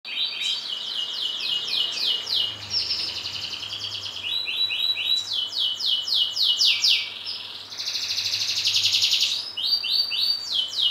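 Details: Canary described as a top-bloodline bird raised with careful keeping and good feed, singing a continuous, rapid song of high trills and rolling buzzy phrases. The song shifts between fast repeated notes and sustained rattling tours for about eleven seconds, with a faint low hum behind it.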